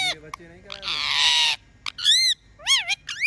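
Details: Pet parrot that talks and whistles: low rough syllables, a sustained harsh screech, then three arched whistled notes rising and falling, each with bright overtones.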